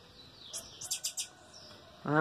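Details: Blue-black Grassquit, 25 March 2023: a quick run of four or five high, clipped buzzy notes in under a second, followed by a brief low voiced sound at the end.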